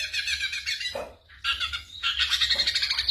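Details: Ashy drongo mimicking other sounds, its mixed repertoire including imitated gunshots and other birds, used for training songbirds; dense buzzy chattering trills high-pitched, a brief pause near one second, then rapid repeated pulsed notes resume.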